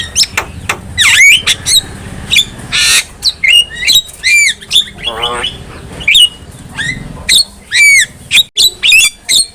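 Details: Black-winged myna song for teaching other mynas: a harsh noisy burst, descending chattering rattle, repeated curved whistles and sharp clicks in rapid, irregular succession.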